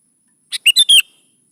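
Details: Sooty-headed bulbul singing a lure phrase for training young birds to reply: a single rapid burst of four bright notes, a short chip followed by three loud, slurred, descending whistles.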